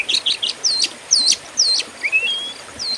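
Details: Oriental magpie-robin fighting-style song used as a master for contest birds, with loud downslurred whistles spaced about half a second apart, short chirps at the start and a long thin rising whistle.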